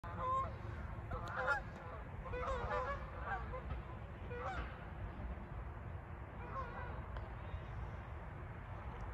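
Canada geese calling overhead, scattered nasal honks in irregular bursts over a steady low rumble of wind or distant traffic.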